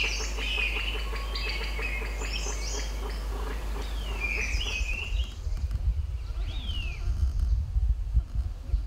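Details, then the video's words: Grey-winged blackbird, a thrush, giving melodious territorial song down a Himalayan valley in summer: clear, slurred whistles, some falling in pitch, among busy high chatter including Hill Barbet 'piao-piao' calls, over a low rumble of wind or distant noise. "Gray-winged black bird is one of the most melodious songsters"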